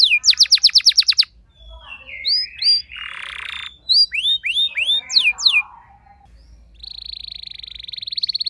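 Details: Domestic canary, normally not a keen singer, answering another singer at once: rapid repeated high sweeping notes, a brief buzzy burst, ringing downslurred notes, then a long even high trill.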